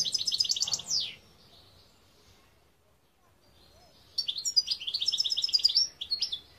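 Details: European goldfinch song from 2021: a second of quick, high twittered trills, a long pause, then a longer bubbling phrase of chirps, buzzy trills and sharp tinkling notes.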